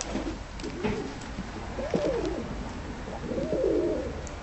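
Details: Tumbler pigeons inside a loft, looking timid yet easily controlled; two soft low coos rise out of background hiss around the middle and end.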